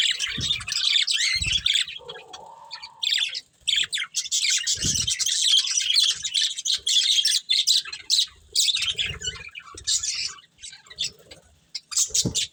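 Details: Chirping from a breeding pair of budgies: long run of fast, scratchy twittering and warbling, broken by short gaps and occasional low thuds.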